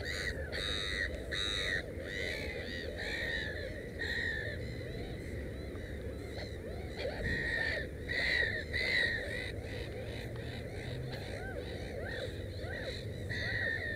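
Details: Black-headed gull at its nest with three chicks, giving harsh, harmonic, arched calls repeated in irregular bursts through the recording over steady low background rumble.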